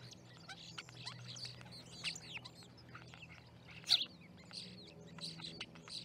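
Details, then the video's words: Flock of starlings gathered at an osprey nest in Charlo, Montana, on 10/07/2019, picked up by a live nest camera; dense overlapping chirps, clicks and short whistles, one louder sharp note midway, over a low steady hum. "Starling Party"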